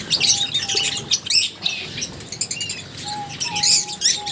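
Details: Lovebirds chatter in shrill bursts of high squeaks, with short rising notes and flat whistled tones between the bursts.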